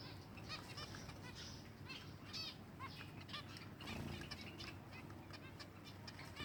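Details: Several silver Java sparrows call while feeding, with repeated ringing chirps and quick warbled notes in clusters, plus soft fluttering sounds and a low steady hum.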